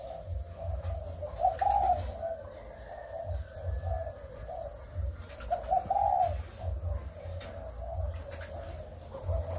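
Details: Breeding spotted doves of Malaysian and Thai lines, recorded 23 August 2021: low, soft cooing phrases, each with a brief rising accented note, repeated about four and a half seconds apart over faint room hum and small knocks.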